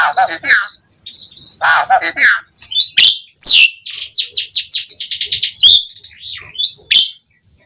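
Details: Asian pied starling song for luring starlings to sing: harsh chatter, then a quick series of short high repeated notes and sharp whistles.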